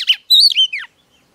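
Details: One brief phrase from a female Oriental magpie-robin singing to stir up males: a sharp note followed by a wavering, slurred whistle that drops in pitch.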